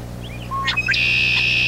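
Red-winged Blackbird giving a few soft introductory notes, then a harsh, buzzy, high trill held to the end, like its conk-la-ree song. A low steady hum runs underneath.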